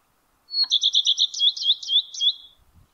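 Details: From the crown of a spruce in May 2022, a male common redstart sings a high pure note, then seven or eight fast doubled twittering notes, with faint low knocks just after.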